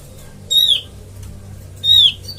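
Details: Oriental white-eye call used as a trapping lure: two loud, thin, high notes sliding downward, a little over a second apart, over faint background hum.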